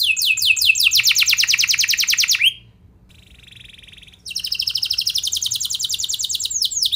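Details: Canary in full song, played as a lure to prompt other canaries to answer: a fast, even trill of descending high notes, a brief quiet pause with a faint buzzy tone, then the rapid rolling trill resumes.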